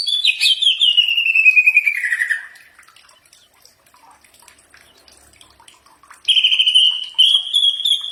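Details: Greater green leafbird singing a training song meant to draw replies: a strong whistled phrase sliding downward, a quiet gap of about four seconds, then a higher steady whistled run.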